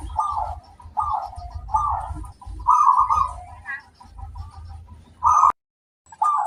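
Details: Local zebra dove singing as a lure for other doves: short rolling coo phrases repeated about once a second over a low droning hum, then a sharp break and one more phrase.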